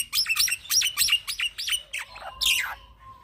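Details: Young black-winged myna in continuous 'gacor ngeroll' singing for bird training: six quick repeated downslurred whistles, then lower slurred notes and a harsh burst at the end.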